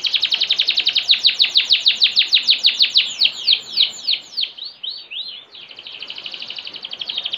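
A canary sings a fast, bright run of repeated high notes, shifting into swooping trills.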